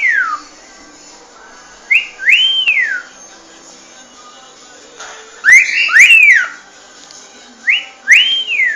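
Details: Cockatiel song: clear whistled notes rising and then falling, given in short groups of two or three with quiet gaps of a second or more between them.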